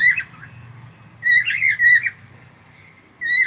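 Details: Cockatiel heard in the morning, giving loud whistled, slightly harsh notes in two clusters, a warbling run of several rising and falling whistles, then a fresh phrase starting at the end; faint low hum beneath.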